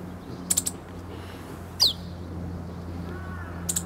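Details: A relaxed Meadow bunting practising song nearby, 8 March 2011, moving from calls toward full song; a clipped high tick burst, then one fast downward-slurred note, with faint other bird notes and low hum behind.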